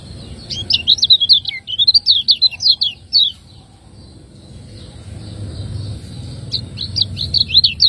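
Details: Master song of a lemon-bellied white-eye (kecial kuning) from Lombok, 'ciak ngejos' style for tutoring caged contest birds: a long, rapid string of sharp, high chirps, a pause, then a second quick burst near the end.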